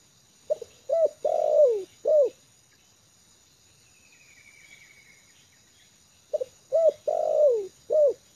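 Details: Settled trained decoy spotted dove on the ground, cooing two four-note phrases separated by a quiet gap of about four seconds, each with a long descending middle coo; a faint hum in between.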